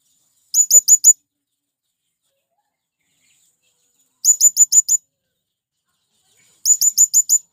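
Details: Calling male blue-crowned hanging parrot, used to lure wild birds: three bursts of four to six shrill, high-pitched squeaky chirps in rapid series, separated by long silent pauses.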